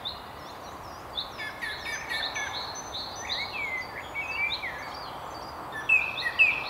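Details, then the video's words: Song thrush singing atop a tree on a riverside walk by the River Tyne near Haddington: a busy string of high chirps and short whistles, louder slurred notes near the end, with constant background hiss. "Song Thrush"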